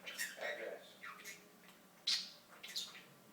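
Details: Pet budgie talking in raspy, compressed word-like bursts, then a loud sharp chirp and more chatter.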